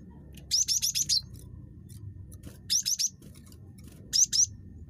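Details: Very chattery Java sparrow used to lure other Java sparrows into calling: very high, thin, quick chirps in short clusters of two to five notes with brief pauses, over faint low background noise.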